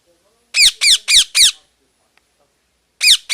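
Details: Parrot giving loud, harsh squawks with a downward sweep, four in quick succession, then a silent pause and two more at the end.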